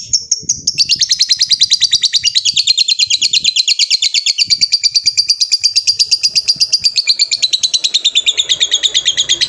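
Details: Lovebird ngekek, a long trill used to call a rival. High chattering notes pour out rapidly and evenly for nearly nine seconds, sliding slightly lower toward the end.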